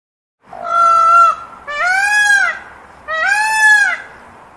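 A peafowl gives three loud, nasal, trumpeting calls, each about a second long and arching up then down, spaced roughly a second apart.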